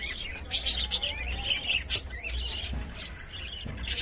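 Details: Budgerigars in a cage chatter busily: quick squeaky warbles and chirps mixed with sharp clicks and tapping, over a faint low hum.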